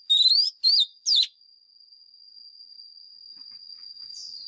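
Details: White-rumped shama lure bird in fighting song for voice training: three quick rising, slurred whistled phrases in the first second and a half, then only a continuous thin high drone.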